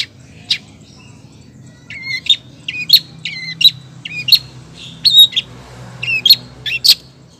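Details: Female long-tailed shrike calling to a male: sharp high notes and short downward-bending whistled phrases, repeated roughly every half second, with a faint low hum behind.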